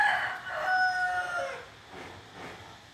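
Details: Decoy chicken giving a crow. A strained, tonal call holds level pitched bands for about one and a half seconds, then fades into softer, breathy noise.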